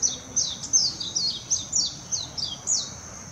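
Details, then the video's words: Warbling white-eye in song at Hashimoto, Wakayama Prefecture, Japan, 26 June 2021, captured on a Nikon Coolpix P900: about nine bright, high slurred notes, each dropping steeply in pitch, delivered in quick succession at roughly three per second. "メジロ さえずり 姿 鳴き声 warbling white-eye song"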